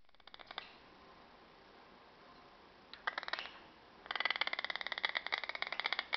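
A Green aracari gives rapid trains of dry, clicking notes, about ten a second, in short bursts and then a longer run, in a quiet indoor setting.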